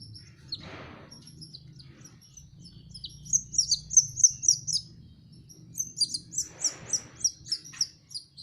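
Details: Young canary practising song, starting with soft scattered notes and a short rustle, then breaking into rapid bright high chirps in a regular series, another rustling noise, and a second quick run of ringing tweets.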